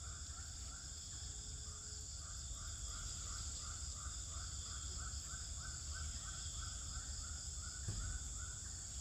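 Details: Swiftlets in a nesting house in Pekanbaru, Indonesia: a continuous stream of quick, slightly rising chirps repeated several times a second, set against a droning background hum and a brief click.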